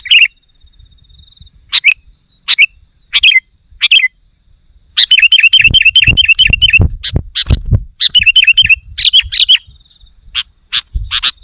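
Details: Kutilang, or sooty-headed bulbul, singing vigorously for a lure and tutor recording: scattered chips with warbled endings, then a rapid run of even, repeated bubbly notes for about three seconds, with low thumping knocks underneath.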